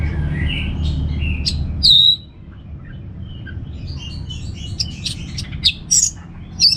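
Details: Orange-headed thrush from northern Bali, a kept songbird, giving a loud high whistled note followed by scattered rapid high chirps and twitters above a steady low background hum.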